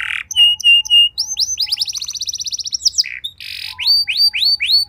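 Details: Canary song played to coax other canaries into singing: clipped whistled notes, a fast rolling trill, a buzzy burst, then ringing repeated upswept whistles.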